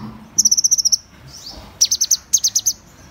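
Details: Fast, evenly spaced series of very high, thin notes from Van Hasselt's sunbird, about eight in under a second, then after a soft pause two shorter bursts of similar ticking notes.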